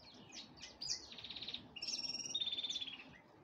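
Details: Serinus alario alario preparing for breeding: short chirps lead into a fast pulsed trill, then long level whistles layered over a rapid rattling trill, all high-pitched and bright.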